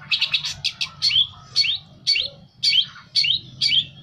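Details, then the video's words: Song of a long-tailed shrike used to make a kept bird respond: a fast chattering burst, then loud rising slurred whistles repeated about every half second. "Cocok buat master cendet anda denger suara ini lansung nyaut"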